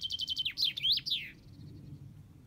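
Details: Common chaffinch song ending: a quick string of identical high notes, then sweeping swooping phrases closing in a flourish, followed by quiet background noise.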